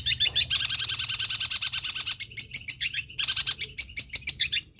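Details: Long-tailed shrike giving a mimicking song; dense, rapid, rattling buzzy notes in quick succession, loud and continuous, then slightly broken toward the end, over a low background hum.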